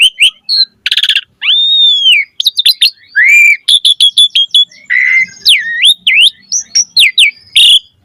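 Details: Asian pied starling in full chattering song with varied material: loud clear whistles, rising and falling slurred notes, a buzzy rattle and quick repeated chips, with no other sounds behind it.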